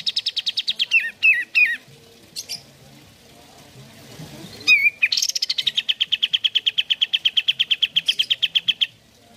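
Sooty-headed Bulbul singing: a fast, dry trill that drops in pitch, short slurred whistles, then a long run of rapid, even, high notes at about three per second.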